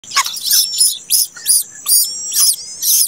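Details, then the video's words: Late-hatched plaintive cuckoo chick begging: harsh, hissy high-pitched bursts repeated about every half second, each with a faint lower note beneath, in a steady insistent series. "ANAK BURUNG KEDASIH TELAT MENETAS"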